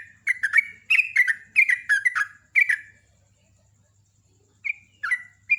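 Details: Sooty-headed bulbul in rapid, loud contest-style singing: a packed series of bubbly, falling chirped notes for about three seconds, silence, then a few scattered single chirps. A soft low hum sits beneath.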